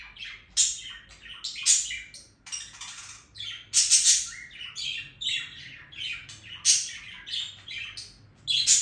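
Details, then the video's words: Steady, lively budgerigar warble: rapid chattering phrases packed with clicks, buzzes and high squeaky notes, barely pausing throughout. "Periquito Australiano Cantando"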